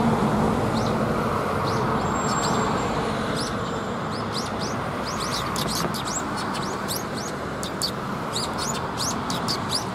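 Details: Sparrows coming to be fed at a Tenmangu shrine on 28 December 2021: many short, high chirps in quick, overlapping bursts, growing busier in the second half, over a steady, heavy rumble of road traffic.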